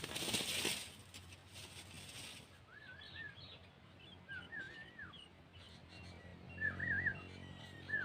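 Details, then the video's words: Sooty-headed bulbul as a lure recording, a loud noisy burst at the start, then a series of short, wavering whistled phrases, some rising and falling, repeated every second or so. "Suara Burung Kutilang"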